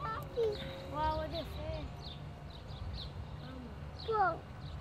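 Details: Huge migrating flock of cranes in flight near a house, giving loud trumpeting calls with rich harmonics in short bursts, several rolling notes overlapping, over low rumbling background noise and faint voices.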